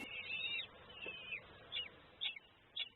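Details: Six hungry, cold kestrel chicks a few days old, left alone overnight in the nest after their mother disappeared, call desperately in the morning: thin, high, wavering begging calls, a long drawn note then shorter squeaky notes about every half second, over a soft hiss.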